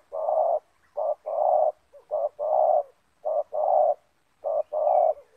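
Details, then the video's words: Spotted dove (terkukur) with a very loud 'banggo' voice, a caged decoy bird used to lure down a wild banggo-type dove in a yard. Low, hollow coos in grouped phrases: short notes, then a longer drawn coo, repeating about every second. "Spotted Dove - Banggo VS Banggo bertemu di laman"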